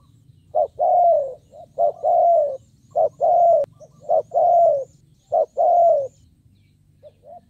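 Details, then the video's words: Spotted dove kept as a decoy to draw in wild birds, cooing repeatedly: short clipped notes alternating with longer smooth falling coos, about fifty per minute in an uneven rhythm, a steady low hum underneath. "Cu Gáy Kích Bổi Nhanh Nổi"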